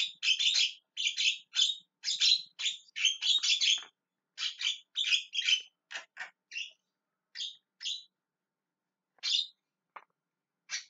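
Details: Rasping, shrieking calls from a Javan myna, delivered in dense groups at first, then thinning to scattered single squawks with longer gaps.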